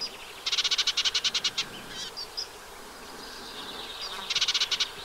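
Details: Eurasian reed warbler with a brood, wet meadow beside the Vilaine on the freshwater side of the Arzal dam, Brittany, 15 June 2023: rapid chattering bursts of repeated harsh notes, a second burst after a pause of thin squeaks.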